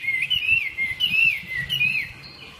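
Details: Three-season Chinese hwamei just out of moult, delivering a fluent run of clear whistled slurs, wavering up and down in quick succession.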